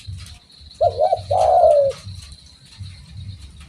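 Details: Spotted dove (derkuku), calling vigorously: a brief wavering two-note coo followed by a longer, sustained, slightly falling low coo, over a low rumbling background hum and a faint steady high whine.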